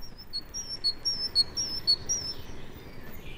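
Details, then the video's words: A great tit sings its chiming song in a British broad-leaved woodland in early January: a bright two-note phrase, high then lower, repeated briskly about every half second over a soft background hiss. "One of the promises in early January of a spring that may still be far away is the gay chiming song of the great tit."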